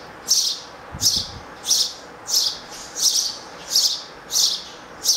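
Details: Three sparrow chicks on a stand by their window-grill nest at a home beg loudly with high, shrill chirps as the male feeds them, about eight bursts in five seconds; one brief low knock near the start.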